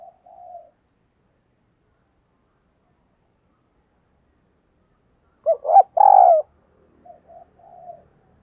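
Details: Spotted dove used as a decoy, cooing to attract wild doves: a faint soft coo, then a loud phrase of clipped notes ending in a drawn-out husky coo, followed by quieter answering notes.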